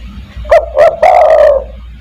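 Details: Spotted dove calling to attract other doves. It gives three quick cooing notes, the last drawn out and gently falling, over a faint low background hum.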